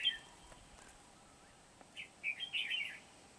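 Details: Red-whiskered bulbul decoy at a trapping site in Kim Bôi on 8 September 2019, giving a quick run of bright warbled notes after a near-silent stretch with faint clicks.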